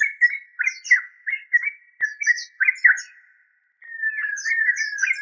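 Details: Yellow-vented bulbul, called trucuk locally, repeating short bubbly notes about three per second, a brief silence, then a busier, continuous chattering run with faint high twitters.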